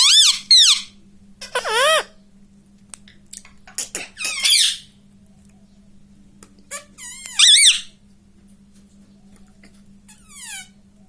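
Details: Rose-ringed parakeet kept as a talking pet indoors, saying "mummy": scattered shrill squeaky syllables with swooping harmonics, several short bursts between quiet gaps with a low hum.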